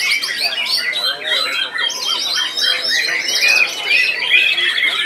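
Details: White-rumped shama singing at a songbird competition, a first-time contest bird that won first place in its class, delivering sharp, rapid varied phrases; dense overlapping whistles and chatter from many competing birds, with human voices in the background.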